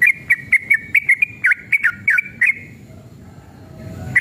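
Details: A riled-up sooty-headed bulbul in fast 'ropel' song, used as a lure for other bulbuls: a quick run of whistled slurred notes for about two and a half seconds, then a lull with low rumble before one last note.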